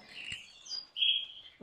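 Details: A canary in a breeder's cage sings a short burst: high, thin chirps and a bright, sustained trilled note, with a voice just starting at the end.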